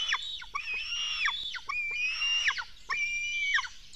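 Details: Black stork nestlings beg while being fed at a Latvian nest at 04:53 on 24 June 2016. Harsh, drawn-out screeching calls, some level and some bending, repeat in overlapping bursts about once a second.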